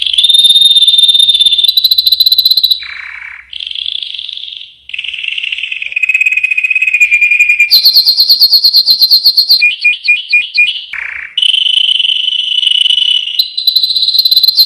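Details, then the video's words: Yellow canary singing a long, varied song: a chain of high rolling trills and buzzy tours, each held one to two seconds before switching, with steady whistled notes, rapid pulsed rattles and brief low slurred dips between phrases. "Chant canari jaune magnifique."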